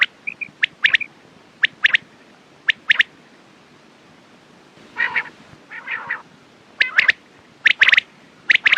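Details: Quail uttering short sharp notes in pairs and triplets, repeated steadily, broken by two rough buzzy bursts in the middle.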